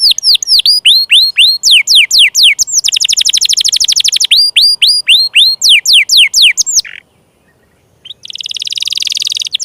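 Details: Canary song used as a prompt for silent or young canaries: hooked whistled phrases alternating with a fast buzzy roll, a brief pause, then a rising rapid trill.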